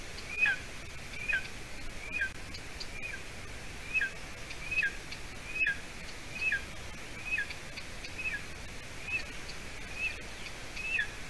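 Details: Golden eaglet at a nest in Latvia on the evening of 30 June 2020, while the adult female delivers a piece of roe deer leg: faint, thin whistled calls, each slipping downward, repeated steadily against a background hiss.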